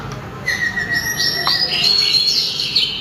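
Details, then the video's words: A sulingan (mountain tledekan) sings: a long, steady whistled note, then higher shimmering slurred phrases building in loudness. "burung sulingan atau tledekan suara merdu langsung ngelangit berkicau"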